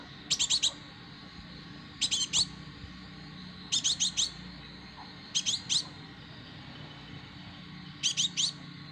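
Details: High, thin chittering phrases from a young plain flowerpecker, locally kolibri ninja, said to be a fighter: short clusters of four or five rapid sharp notes, repeated roughly every one and a half to two seconds, with a soft steady hum beneath.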